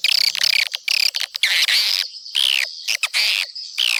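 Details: Swiftlets' attracting call: rapid rattling chirps at the start give way to longer buzzy, twittering bursts, some ending in a downward sweep, separated by short pauses.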